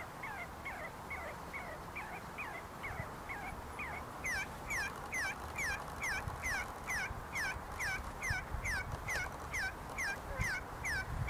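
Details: See-see partridges in a flock, feeding and squabbling inside the University of Sulaimani, Kurdistan, give a quick run of sharp, downslurred whistles that grow louder and more regular halfway through, roughly two notes a second, with low background noise.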